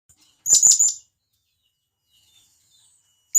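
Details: Wild blue-crowned hanging parrot from the forest calling to companions: a quick burst of three shrill, very high chirps, then a fresh burst cut off at the end. No other sounds.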